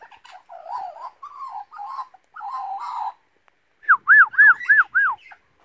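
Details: Pet Australian magpie being taught to whistle and sing by its owner: low warbling whistles for about three seconds, then a quick run of five clear rising-and-falling whistled arcs, with a quiet room behind.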